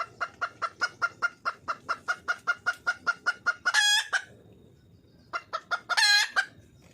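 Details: Red junglefowl hen in the wild calling for a mate: a fast, even run of sharp clucks about four per second, then two loud harsh cackling squawks separated by a pause.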